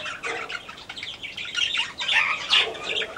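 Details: Yellow-crowned parakeet kept in a home aviary: rapid, busy chattering of short harsh chirps and squawky notes, overlapping and uneven, bursts growing louder toward the end of the clip.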